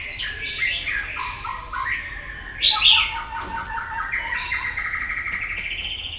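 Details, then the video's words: A white-rumped shama sings competitively with a varied voice, delivering a continuous run of warbled, stepping whistles that swerve between high and middle notes. One louder burst comes partway through, and the song settles into a long, even whistle. "chòe lửa hót đấu đập đuôi căng lửa"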